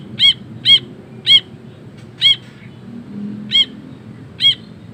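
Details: Ashy bulbul, lively and vocal, giving single sharp harsh notes with a ringing, buzzy tone, spaced irregularly about half a second to a second apart, over a quiet low hum.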